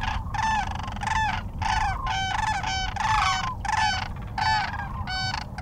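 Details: Sandhill cranes feeding in fields in central Nebraska during spring migration give rolling, trumpeting calls that overlap in a steady chorus, about one burst every second, over a low rumble of wind or distant noise.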